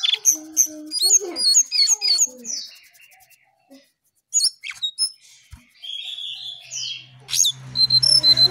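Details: Early-morning Brown songlark song, lively and full. Bursts of sharp high chirps and slurred whistles come in clusters, broken by a near-silent gap midway. A low steady hum enters near the end.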